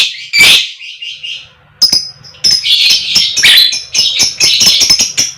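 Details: Harsh screech from a female 'koek koek' fighter lovebird, meant to provoke other lovebirds into song, followed by a rapid jumble of sharp, scratchy chattering notes.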